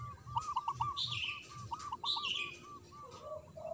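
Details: Zebra dove of local stock, singing loudly from a high perch: rounded bubbling coos in a fast row over a hissy background, with two high bright chirps from another bird and a lower coo near the end.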